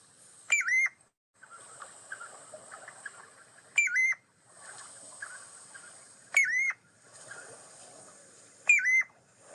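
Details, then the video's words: Piping Plover, a threatened beach-nesting shorebird in Connecticut, giving its identifying peep-lo call: clear, two-part whistled notes, sweet and slightly rising then falling, repeated every two to three seconds over faint background chatter. "So that is the peeplo call of the piping plover."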